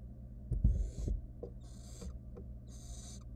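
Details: Nestling barn owl, wild, inside a research-monitored nest box at feeding time as a rat is swallowed whole; knocks and thumps of movement, then three raspy drawn-out hisses in quick succession above a constant low electrical hum.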